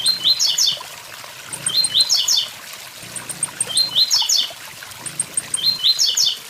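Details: Four bright, squeaky phrases of the blue-black grassquit's 'tui tui zel zel' song, delivered about every two seconds alongside a waterfall's steady trickle and splash.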